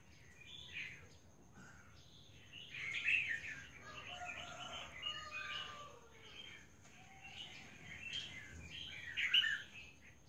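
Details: Calls of an albino female red-whiskered bulbul: scattered bursts of lively, high chattering and warbled notes, some slurred downward, with short gaps between bursts and a faint steady whine behind.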